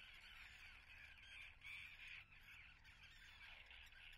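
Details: Common tern nesting colony, Atlit, Israel, 10 June 2010. Grating, squawking calls overlap without pause, a few louder cries rising out of the din near the middle.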